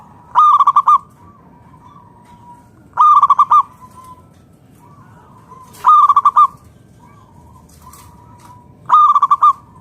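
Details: Zebra dove from the wild, singing loudly to coax other doves to answer: four short, rapid pulsed coo phrases, each followed by a faint trailing note, repeated roughly every three seconds over quiet background hiss.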